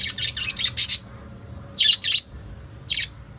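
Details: A quick string of piercing chirps from pet lovebirds in the evening, then a pause, two loud squeaks and one final chirp.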